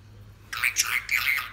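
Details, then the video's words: A pet musk lorikeet imitating speech gives a harsh, scratchy two-part utterance lasting about a second, hoarse and high like raspy talk, in a quiet room. "Lorikeet Musk talking"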